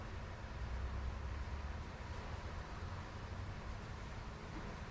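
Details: Steady low engine-like hum and broadband hiss continue throughout, and no animal sound stands out.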